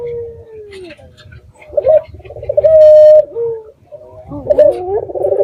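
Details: Local red-eyed dove, recorded as a lure to make other doves answer: a falling coo, then several short rolling notes and a loud, level, held coo, ending in warbling, overlapping coos.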